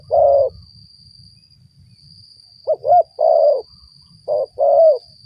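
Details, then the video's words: Lure recording of a spotted dove: one long soft coo, a pause of two seconds, then two phrases of short looping notes followed by longer mellow coos, with a steady high-pitched hum throughout. "mikat burung tekukur"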